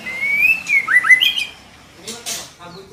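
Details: Female white-rumped shama calling to stir a male into singing: a clear whistled note gliding upward, then a quick cluster of rising and falling whistles, closing with two short harsh rasping bursts.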